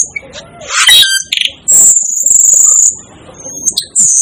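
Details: Asian glossy starling calling: sharp clicks and chattery notes, then a long, piercing, very high steady whistle lasting about a second, followed by shorter shrill squeaks and another high sustained note at the end.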